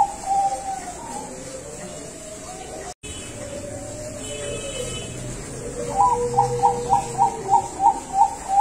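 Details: A captive-bred zebra dove (Bangkok perkutut) from a farm in Tasikmalaya, West Java, gives soft, low cooing notes ending in a quick run of about eight evenly spaced coos, over a steady background hum.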